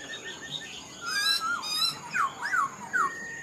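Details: Caged Black-throated laughingthrush, an older wild-caught bird, gives a few smooth whistles followed by sharp downslurred notes, three or four in quick succession.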